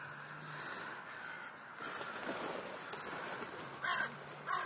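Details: Crows feeding between breakfast and lunch; two short, loud harsh caws close together near the end after quieter rustling and background noise.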